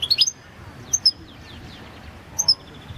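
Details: European goldfinch of the Balkan subspecies, recorded for the 2022 World Championship in Goldfinch Song: a few sharp, very high chirps at the start, one more pair near one second and another near two and a half seconds, with quiet gaps between.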